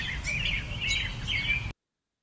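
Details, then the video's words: American robin in Kentucky at totality during the April 2024 eclipse, when robins called a lot as it started and peaked; three clear, slurred whistled phrases, each rising and falling, spaced about half a second apart over soft background noise. "So this is that recording of that robin in Kentucky at totality."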